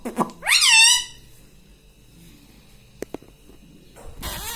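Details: Pet rose-ringed parakeet speaking one rising, word-like syllable, then near silence with two faint taps and a burst of rustling at the end.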